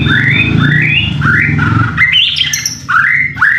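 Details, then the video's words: White-rumped shama song played as a lure to get other birds singing: loud, clear whistled phrases, each sweeping upward, in quick succession with some higher notes, over a steady low droning hum. "pancingan murai batu AGAR BUNYI jitu untuk JADIKAN murai batu GACOR EMOSI"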